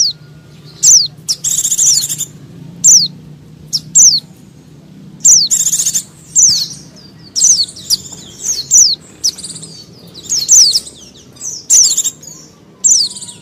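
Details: Busy white-eye chatter played to attract wild white-eyes and other small birds: many high sliding chips mixed with short buzzy rattles, coming irregularly every second or so above steady low background rumble.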